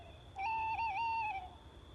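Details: Tawny owl at night: one drawn-out, slightly wavering hoot lasting about a second, against a low background rumble.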